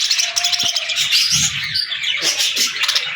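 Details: Excited baby budgerigars chirping and chattering in a busy, high-pitched warble, continuous throughout.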